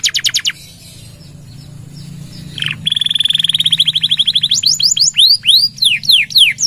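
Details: Canary in gacor singing with long nembak trills for pancingan and masteran: a short burst, near silence, then a long level rolled trill that rises into loud arched whistles.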